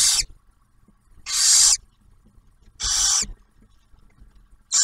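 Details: Loud breathy screeches from barn owls at a refuge nest in Ohio as the male delivers food and the female feeds the first owlet; four hisses about half a second long, repeated roughly every 1.5 seconds.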